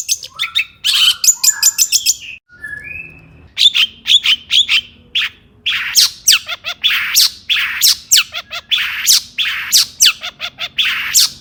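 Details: Long-tailed shrike (cendet) in agitated, constant singing, meant to goad other shrikes into song: harsh rasping bursts, a few short whistled notes, then dense scratchy phrases repeated about twice a second.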